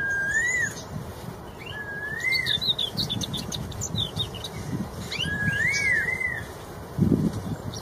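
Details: A red-tailed straw-headed bulbul in the wild gives loud, rich, gurgling whistled phrases with sliding notes every few seconds. Higher chirps from other birds and a steady insect drone run underneath.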